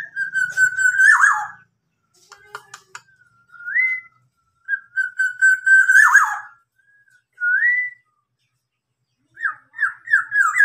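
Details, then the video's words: Local black-naped oriole, a tame caged bird, imitating a police siren: long steady whistles ending in falling wobbles, short rising swoops, and a final series of quick wavering wails, with soft clicks between phrases. "kepodang lokal berbunyi mobil polisi"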